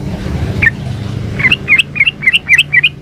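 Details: Calling female sooty-headed bulbul, used to draw in a male: one opening chirp, then a fast chattering run of paired rising and falling notes against faint background hum.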